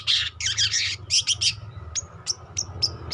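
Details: Young long-tailed shrike learning to sing: harsh, raspy chattering bursts in the first half, followed by four or five thin, clipped high whistles spaced about every third of a second, over low rumbling background.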